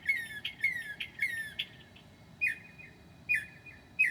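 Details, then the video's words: Northern mockingbird copying other birds' calls at 2 a.m., 7/9/2008: quick, scratchy downslurred notes repeated rapidly, then slower, spaced sharp notes about a second apart. "HIGH QUALITY AUDIO of a Mocking bird at 2:00 A.M."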